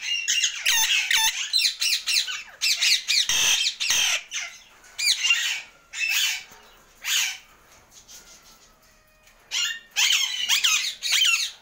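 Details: Indian ringneck parakeet kept as a pet making random sounds, a rapid series of harsh screeches and raspy chatter in bursts, with a quieter pause midway before the loud calls resume.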